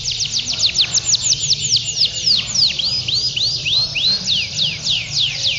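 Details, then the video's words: Male domestic canary in continuous ngedur singing at a canary song contest held Sunday, 21 February 2016, in Pondok Cabe: loud clear downward-sweeping notes repeated about three to four per second, some upturned, over quiet chatter. "Adu Kenari Gacor Ngedur"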